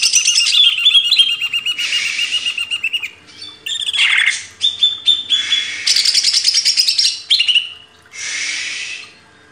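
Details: Greater green leafbird, kept as a cage bird, in a training recording: long sequence of varied high phrases, including whistled slurs, rapid chatters and harsh buzzy bursts, with short breaks between.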